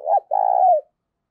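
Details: Decoy spotted dove cooing to provoke wild doves: one phrase of a short, low, husky two-note coo followed by a longer, even, drawn-out hoarse coo that falls slightly at the end. No other sounds.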